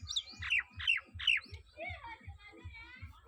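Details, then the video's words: A talking common hill myna with its owner utters rapid harsh, squeaky chirps, about four per second, that slide downward and fade into softer twittering, over a regular low thumping pulse. "কথা বলা ময়না পাখি 🐦kota bola moyna pakhi"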